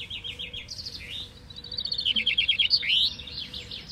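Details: At a Flemish vinkenzetting in Bellem, Belgium, one of 23 caged chaffinches competing in a singing contest delivers bright descending trills ending in a sharp flourish, other finches' songs overlapping behind.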